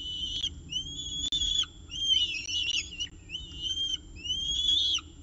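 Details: At CSU Orange on 19 October 2018, a Peregrine falcon with breakfast at the nest; long high whistles rising in pitch, repeated roughly every second and a half, interspersed with brief squeaky chatter.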